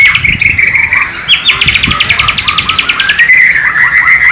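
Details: White-rumped shama of Borneo, East Kalimantan, delivering its sikatan londo (nightingale) imitation: dense runs of fast, sharp repeated notes, high chips and a sustained whistled tone at the end.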